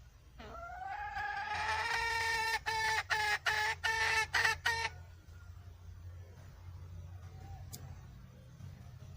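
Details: Wild red junglefowl hen starts with a rising drawn note that breaks into several choppy, nasal cackles, then stops, leaving faint background hiss.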